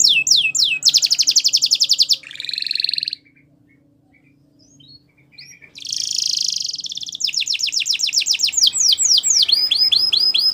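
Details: Singing Belgian canary used for training: fast high rolls and a buzzy trill, nearly two seconds of quiet, then a loud rattling trill and repeated swooping whistles carrying to the end.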